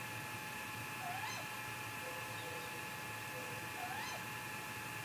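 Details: Wild great grey owl calling at 3:58 am on 15 May 2018, recorded by a Mission Valley live camera amid a possible confrontation; two soft upswept, wavering calls roughly three seconds apart, with a constant mechanical hum behind.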